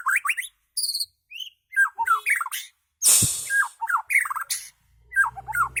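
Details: Murai batu (white-rumped shama) from Medan singing an unusual varied song: short bursts of sharp descending whistles and chattering notes in quick phrases, some very high thin notes, and a harsh noisy burst midway.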